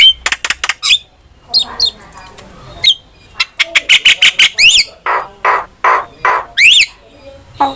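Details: ['Starling lure song for training, opening with rapid high chirps, then a fast rhythmic string of clicks and buzzy notes, punctuated by harsh chattering squawks and wavering whistles.']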